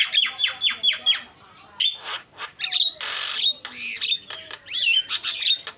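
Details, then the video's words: Starling lure song: bright clipped whistles and harsh noisy squawks alternate with rising and falling whistled notes, delivered in uneven bursts. "SUARA JALAK PALING KREN KICAUAN JUARA"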